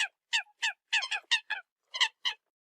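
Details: Eurasian coot, sound used as decoy: a short run of loud, clipped, brassy honks, some doubled, with brief gaps between them.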